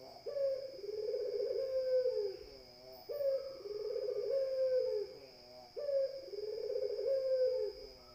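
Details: Spotted dove repeating long, low coos roughly every two and a half seconds, each phrase sustained and softly descending, over a steady high-pitched whine.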